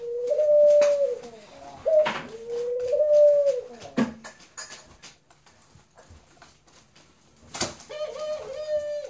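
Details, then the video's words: A dove sings mellow, drawn-out cooing notes, each swelling upward and then held level. Three come in quick succession, followed by a quiet gap of several seconds with scattered faint clicks, then one final coo near the end. "Singing Dove and Laughing"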